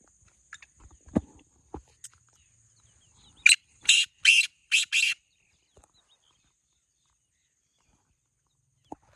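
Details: Black francolin, known locally as kala teetar, one of two birds compared in a calling contest: a burst of five harsh, grating notes in quick succession, preceded by scattered soft clicks and knocks, then quiet.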